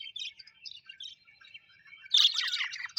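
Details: A pet budgie flock sounds happy here: soft, thin chirps and a murmured warble, then a sudden loud outburst of harsh, squeaky chatter in the final second.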